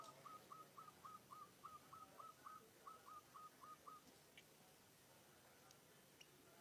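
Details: A munia copying zebra dove cooing: a rapid row of about fifteen short whistled notes, each rising then flattening, given four per second for four seconds, followed by quiet background with a few faint distant chirps.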